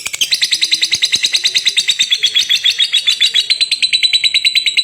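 A lovebird gives a long, unbroken, high, shrill chattering trill of rapid pulses, about five a second, sustained for the whole stretch.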